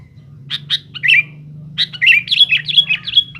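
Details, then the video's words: Sooty-headed bulbul singing noisily to challenge rivals: two short chirps, then bubbly, slurred notes that run into a rapid chattering phrase ending in a thin whistle, over a steady low hum. "suara BURUNG KUTILANG GACOR RIBUT MENEKAN LAWAN"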